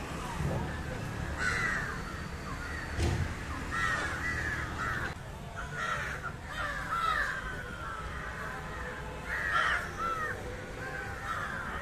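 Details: Indian jungle crow calling while feeding on fish: a string of hoarse caws scattered through the recording, mixed with sharp clicks, thumps and some human voices in the background.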